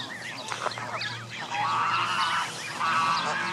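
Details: Canada goose families with goslings gathered at Jess Ranch Lakes Park on May 23, 2014. A dense chorus of overlapping high, wavering peeps and calls, with longer drawn-out notes after the midpoint and a low steady hum beneath.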